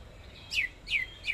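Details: Greater green leafbird from Kalimantan in full song; sharp descending whistled notes come in quick succession over faint background hiss.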